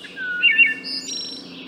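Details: Wood thrush (Hylocichla mustelina) song phrase: a low gliding whistle leads into loud, bell-like warbled notes, then a high buzzy, ringing trill that fades out.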